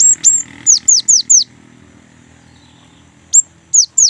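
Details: Young great tit's rolling song, played to prompt other great tits to sing: a run of five or six piercing high whistles, each falling sharply, then a pause and three more notes.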